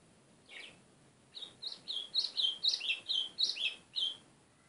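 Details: White-throated seedeater (golinha) singing a quick run of about ten high, slurred chirps, each dipping or rising, delivered roughly four per second after a single opening note; little background noise.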